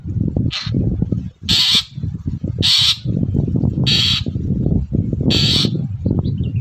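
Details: Morning lure song of a long-tailed shrike meant to provoke other shrikes into replying: five loud, rasping, broadband bursts, each under half a second, repeated at roughly one-second intervals over constant low-pitched rumble.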